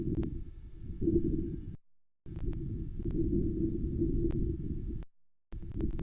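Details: Low rumbling wind noise cuts out twice into silence, broken by sharp clicks, with no animal voice heard.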